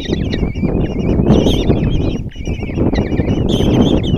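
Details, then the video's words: Common kestrel nestlings, five chicks, begging while their mother feeds them breakfast in a nest box at Tiszalök, Hungary, on June 26; quavering, rapidly wavering squeals overlap almost continuously above loud low scuffling and bumping. "Common Kestrels | Mom bring breakfast and start feeding five chicks"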